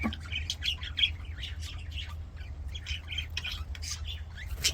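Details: Budgerigars in an aviary chirping and squawking together, a dense flock chatter of short high warbles and squeaks with a steady low hum underneath.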